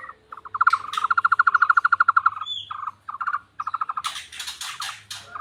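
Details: Tohtor bird sounding much like a frog: a long rapid series of throaty pulses for about two seconds, then shorter stuttering bursts, with loud noisy clatter toward the end and a low hum.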